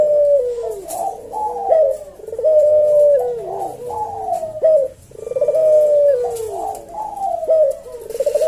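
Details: Javanese puter dove coos continuously in the slow senggang style for use as a tutor and lure: overlapping throbbing coos and short accent notes, steady and unhurried.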